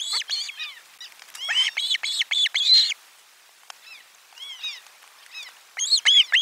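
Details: Calling Osprey at nest 4 on 12 July 2022 as lunch fish arrives; dense runs of shrill arched whistles in rapid bursts, quieter isolated chirps mid-clip, then another loud burst.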